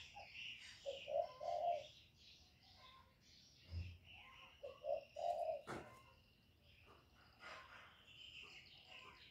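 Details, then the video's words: Lure spotted dove calling, cooing and urging to excite wild birds: two hollow low-pitched phrases, each a short note, a pause and a longer coo, about three seconds apart, amid chirping birds and a sharp tap. "CU GÁY GỌI + GÙ + THÚC CỰC KỲ HAY, Cu Gáy mồi hay, tiếng cu kích bổi, cu đất kích mồi"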